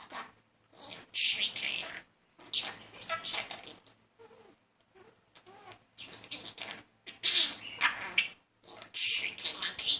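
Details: Indoor pet budgerigar, male courting a female and not very successfully; continuous scratchy warbling chatter with bright squeaks and clicks in irregular bursts.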